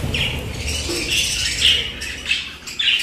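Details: Pet budgerigars produce a continuous warbling chatter of short, rising and falling chirps, with soft flutter and background noise.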